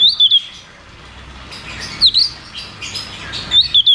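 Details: 'Ngeroll tembak' song of a cucak cungkok, meant to prompt caged birds that have gone silent: three short clusters of bright, sweeping whistles spaced about one and a half seconds apart.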